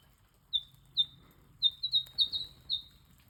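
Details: Two Eastern Yellow Robins in Australia give sharp, high chirps, about eight short notes in quick succession over three seconds, some closely paired, over a faint low background hum.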